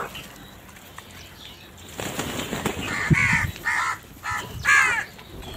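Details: A large flock of crows gathered and squabbling over food, giving loud harsh caws in a rapid burst of four or five calls over the last three seconds, after a quieter stretch of background chatter and faint wing noise.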